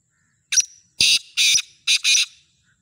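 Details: Full call of a black francolin for sale: a brief clipped opening note followed by two pairs of rasping, buzzy notes over about two seconds. No other sounds.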